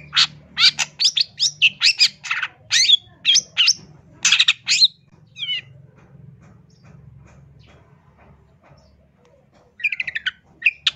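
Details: Long-tailed shrike from Indonesia, master song for training or luring birds: loud, harsh, rapid chattering bursts, then a quiet gap with steady low hum, and a final run of quick, thin twittering notes.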